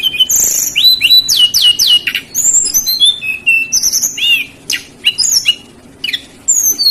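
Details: Lesser shortwing in energetic, chattering song used to lure other birds: fast runs of high sweeping whistles, steep downslurs and trilled phrases, pausing briefly between bursts.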